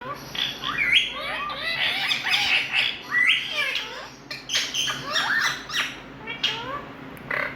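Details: Indian ringneck parakeet making loud noise: dense bursts of harsh, harmonic squawks and short rising-falling whistled notes, several overlapping, with a faint low hum underneath.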